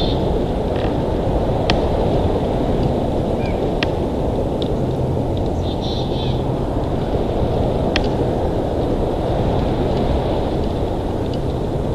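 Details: Continuous broadband rushing noise like wind or distant traffic at a nest camera, with a few faint clicks and no animal voice heard.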